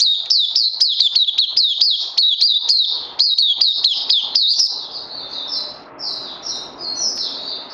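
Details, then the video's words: Oriental white-eye, a caged bird being conditioned on health supplements, singing a fast run of high, rapidly repeated chirping notes that swoop down then up, about one per third of a second, later thinning to softer trilled phrases. "Puteh Crazy LG"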